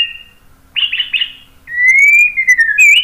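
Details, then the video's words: White-rumped shama uttering a brief warbled cluster followed by a long, smooth, slowly rising and falling whistle with a sharp upturned ending. "KICAUAN MURAI BATU"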